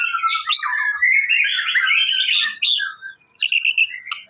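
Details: White-rumped shama, a male in a lively singing mood, used to provoke a response from other birds: a rich run of varied whistles and chattering notes sliding between low and high pitch, ending in short bright bursts after a brief pause.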